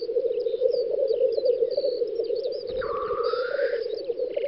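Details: Black grouse lekking on a spring field in the Volga federal district of western Russia, 9-10 May 2019: a steady, low bubbling rookoo chorus runs throughout, with one clear rising whistle from another bird near the end.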